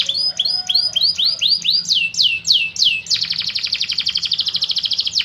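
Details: Canary singing, recorded as a model for training other birds. Bright descending whistled notes speed up into a rapid, dense, buzzy trill of repeated syllables in the final two seconds.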